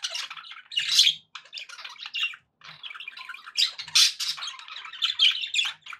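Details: Budgies chattering happily, loud squawky bursts alternating with softer scratchy warbling, plus two short gaps of quiet and a few clear chirps near the end.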